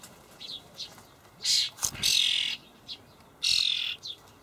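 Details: Common starling young begging in a Hamburg allotment garden on 28 May 2012 while parents feed them dried buffalo worms: faint short chirps, then three loud, coarse hissing screeches spaced about a second apart.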